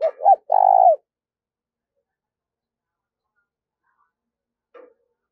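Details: Decoy spotted dove in daily voice training gives one phrase of two quick coos and a drawn-out, trembling final note. Silence follows, with a faint click near the end.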